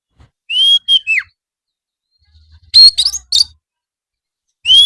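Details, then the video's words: Oriental magpie-robin song for afternoon training so birds answer back. Sparse phrases: a long level whistle dropping into a downslur, a short harsh cluster after a pause, then another clear whistle starting at the end. "masteran kacer supaya mau nyaut bunyi gacor cocok buat terapi sore hari"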